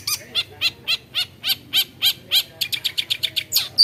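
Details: Long-tailed shrike, known for copying other birds, giving bright high chirped notes repeated about four per second, speeding into a quicker stuttering series near the end.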